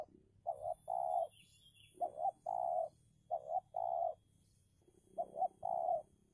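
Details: A decoy spotted dove contests a wild dove. Four phrases each join a quick two-note stutter to a long even coo, and a faint high bird chirp is heard early on.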